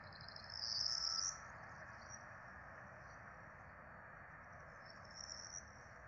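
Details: Peregrine falcon quadruplets at a Rome nest on 12 April 2024, begging while the adults feed them, nest-camera sound: one loud high, strained squealing burst near the start, then fainter wheezy cries later over constant background hum.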